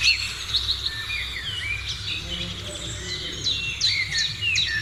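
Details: Birdsong in the morning, somewhat softer and more distant: scattered whistles and chirps, with downward-slurred notes and high sharp calls toward the end, over a faint low hum.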